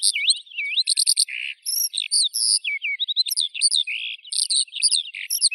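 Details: Eurasian skylark singing a continuous high, rapid stream of whistled slurs, trills and buzzy notes, phrases changing every fraction of a second with short gaps; no other sounds.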